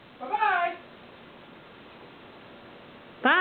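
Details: Pet yellow-naped amazon, a five-year-old believed female, laughing at home while being coaxed to talk; one short burst of stacked, wavering harmonic notes near the start, quiet room, then another loud note starting at the very end.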